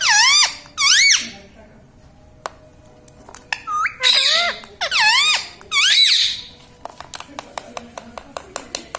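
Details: Pet parrot said to say mummy, papa and radhe: a series of about seven loud, dipping-and-rising harmonic syllables in short bursts, followed by a run of quiet ticking clicks.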